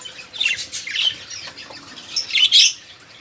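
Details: Budgerigar flock chatter, busy and noisy, used to stimulate caged songbirds that have stopped singing; quick raspy chirps and a bright squeaky burst toward the end.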